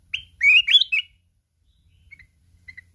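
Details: Fierce contest singing by a mountain red-whiskered bulbul, wild 'kít bổi' style, flapping its wings continuously; a loud, quick cluster of rich slurred whistles opens, then two faint short chirps follow after a pause.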